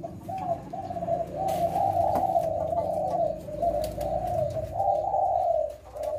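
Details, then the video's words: Spotted dove of the leopard type with a six-note coo style, cooing steadily; low, soft, throaty coo phrases running almost without pause, with faint background hum and clicks. "Tekukur Leopard Kuk 6 Gacor"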